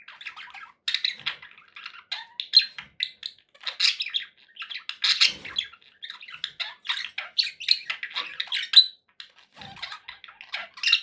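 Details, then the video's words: Cheerful budgerigars in a small room keep up a continuous chatter of scratchy chirps, squawks and short whistles, the bursts rising and falling in loudness without a long break. "happy budgie sounds"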